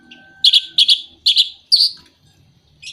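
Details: Orange-headed thrush lure song for moulting or out-of-condition birds: four quick pairs of bright, buzzy chirps, then a short trailing note, with a faint low hum behind.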